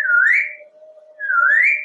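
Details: Talkative pet African grey parrot, male, living in a Texas home, exchanging kisses with its owner: two matching whistles, each dipping slightly then sweeping upward, separated by a short pause, with a constant faint hum underneath.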